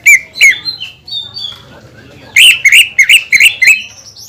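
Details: Greater green leafbird song intended to goad other leafbirds into singing: a few spaced, whistled, upward-flicking notes, a pause, then a quick run of five or six loud, slurred chirps.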